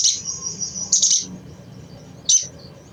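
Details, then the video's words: Crimson sunbird chattering, used to make untrained sunbirds sing; a thin high trill gives way to a harsh double burst, then one more sharp chip. "SUARA CECRETAN AMPUH MERANGSANG BUNYI SOGON BAHAN"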